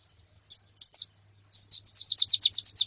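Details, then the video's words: Female and colony calls of white-eyes: a few isolated high chirps, then a quick run of about ten sharp, evenly spaced high notes. "Suara Pleci Betina dan Koloni Untuk Terapi Kicau Pleci Jantan"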